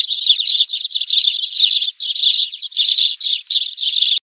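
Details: Eurasian tree sparrow call used as a trapping lure to summon the flock: continuous tumbling bright chirps, strung in short bursts separated by brief pauses, steady and unaccompanied.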